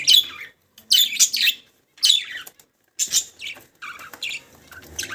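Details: Budgies give bright, sharp chirps and warbled squeaks in separate bursts about once a second, with quiet gaps between phrases and softer twitters near the end.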